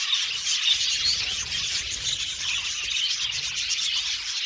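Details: Budgerigars in an aviary colony chirping together: a dense, unbroken wall of high, scratchy warbles and tweets with constant overlapping voices and no pauses.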